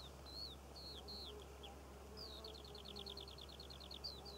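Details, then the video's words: In June 2014 a Eurasian skylark sings above poppy fields in Cornwall: several downslurred high chirps, then a fast even trill of repeated notes, set against a constant low rumble. "Skylark Bird Song and Nature Sounds - Birds Singing Over The Poppy Fields of Cornwall"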